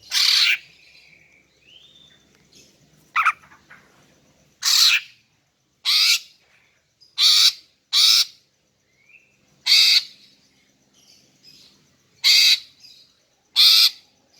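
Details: Harsh rasping calls of a female greater green leafbird, given to lure males, repeating irregularly about every one to two seconds, with occasional short slurred whistles between them.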